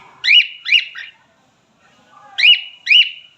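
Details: Male cockatiel, a pet parrot, giving loud whistled phrases: three quick rising-then-falling notes with a held high tone, a pause, then two more; faint background murmur.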